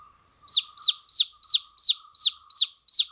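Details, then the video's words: Eight clear, high-pitched peeps from baby chicks, each a quick downward-curving note, repeated steadily about every third of a second over a soft background hum. "Cute Baby Chicks Chirping Sound"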